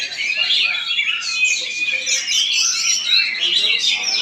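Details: Oriental magpie-robin in Palangkaraya, Central Kalimantan, performing: a continuous stream of bright whistled phrases and scratchy twittering, fast and varied, with low murmuring voices in the background.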